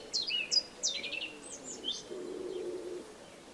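Eurasian tree sparrow chicks give high, quick, falling chirps and a short rapid trill while being fed, with a low cooing hum underneath.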